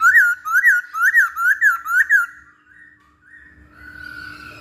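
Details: Masked laughingthrush song used as a training lure: wavering, looping whistles repeated about twice per second, then a softer drawn-out whistle fading into faint background murmur.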